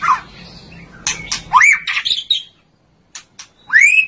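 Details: Murai batu, the white-rumped shama, giving a short phrase: a low rasping note, then rising whistled slurs and clipped chips, a brief silence, and one more upward-sweeping whistle at the end.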